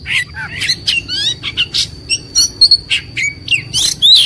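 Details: White-rumped shama in a fighting, agitated mood: short sharp whistles and chattering bursts spaced irregularly, some clear downslurred notes, over a faint constant high tone.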